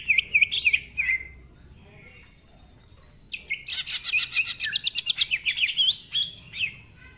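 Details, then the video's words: Greater green leafbird pouring out rough-voiced song packed with mimicked phrases: wavering whistles, a short hush, then a long fast string of harsh chattering notes mixed with bright warbled whistles. "Cucak Ijo Gacor Ngentrok Full Isian, Nembak Rapet Suara Kasar Isian Mewah"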